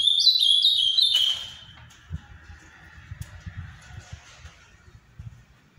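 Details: Ultramarine grosbeak with the Paraná song style, prized in Brazil: a fast bright phrase of stepped high notes for just over a second, dropping to faint thin traces and soft low rumbling for the rest.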